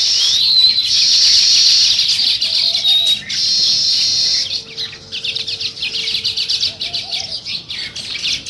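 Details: Sparrows chirping in the morning near a nest-building weaver colony in a village: a dense, buzzy chatter of many high chirps that thins after four and a half seconds into separate rapid pulsed chirps.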